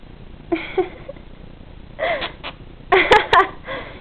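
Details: A pet female monk (Quaker) parakeet, DNA-sexed and about five years old, gives short, raspy chattering calls in a few quick bursts while playfully interacting with her owner, who talks to her.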